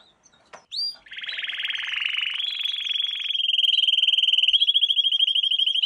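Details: Young-canary training lesson sung by a canary: one short high note, then a long unbroken fast trill that steadies in pitch and gets louder toward the end.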